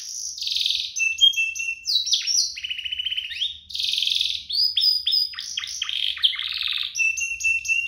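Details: Pair of canaries in full duet song, offered as a master recording for young canaries and as a prompt for singing; dense mix of buzzy rolls, sharp chirps and short whistles, with only brief pauses.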